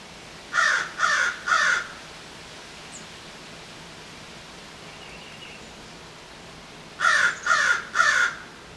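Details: An urban American Crow near buildings and roads gives two bursts of three rough, evenly spaced caws, separated by several seconds of quiet background hiss.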